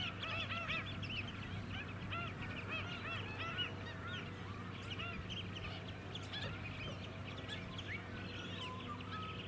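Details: Mudflat flock of White-headed Stilts at Scarborough, Queensland, in July 2017, keeping up a busy stream of yapping, honk-like calls that thin out toward the end; low hum of engines throughout.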